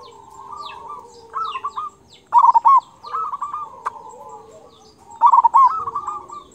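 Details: Local zebra dove with a loud 'kung' style voice, recorded as master song for training other doves: low, hollow cooing phrases with rolling stuttered notes, about two phrases in six seconds, with faint high chirps of small birds around.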